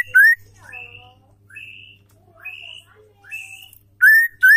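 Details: Singing female white-rumped shama, used to rouse sluggish males into full song: soft drawn-out whistles repeated about every second, bracketed by loud, piercing slurred whistles at the start and end, with faint low hum.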